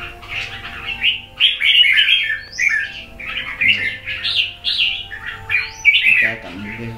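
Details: Red-whiskered bulbul from the A Lưới area of Huế, Vietnam, a red-whiskered bird of two seasons, singing a fast, continuous run of lively warbled and whistled phrases, rising and falling, pouring out without pause for seven seconds; faint low hum.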